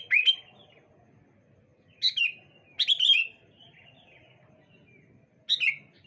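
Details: Sooty-headed bulbul singing on a bright morning, birds answering one another; four short, bright, chirpy phrases, each dropping in pitch, spaced a second or two apart, with quiet pauses between.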